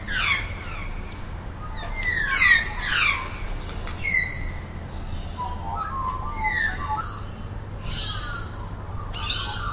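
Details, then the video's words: Magpie voice among Australian and black-billed magpie recordings: bright, sweeping harmonic calls in short bursts, some falling, some rising, followed by quieter low warbled notes and scattered high clipped chirps over steady low background hum. "Magpie Call | Magpie Sound Effects | Magpie Bird Singing | Magpie Noises"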